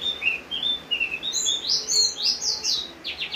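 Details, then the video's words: Javan grey-throated white-eye in the rain giving a fast, busy song: warbled mid-high whistles building into loud very high slurred notes and ending with a rapid stuttering series, rain hissing behind. "opior jawa gacor saat hujan"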